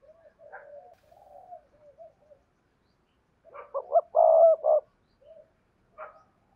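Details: Spotted dove used as a decoy, cooing in the two-ending 'hai hậu' style to lure wild doves: soft low coos, then one loud mellow phrase of several hollow notes with a drawn-out middle note, and a final short coo.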